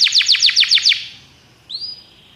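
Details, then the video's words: Belgian canary singing a training song: a run of seven quick descending sweeps, then a pause and a single long upslurred whistle trailing off. "treinamento para canário belga"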